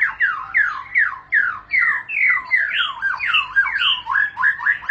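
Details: Rolling ngerol song of a white-rumped shama: a string of loud, swooping whistles, each falling then rising, delivered in a steady run about two and a half per second.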